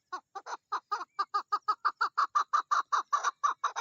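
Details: Chukar partridge female in mating season delivering a steady chain of rough, evenly spaced chuk calls, nearly five per second throughout.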